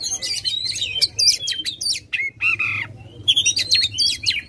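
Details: An Oriental magpie-robin in aggressive full song with tail spread, meant to spur a silent bird: quick, crowded high chirps and whistles, a pair of lower slurred notes midway, then more rapid twittering.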